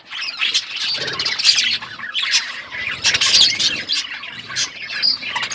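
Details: A group of eating budgerigars gives a loud, harsh squawking chatter in waves, mixed with rapid chirps and short squeaks.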